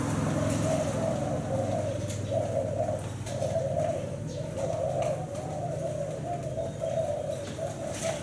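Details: Thai black-spotted spotted dove repeating its seven-note 'bảy sị' song: mellow coos in evenly spaced pulses, roughly one per second, over a steady low hum with faint background noise.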